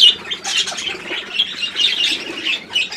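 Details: Short burst of pet budgerigar chatter: quick raspy chirps and squeaky notes tumbling over one another without a break.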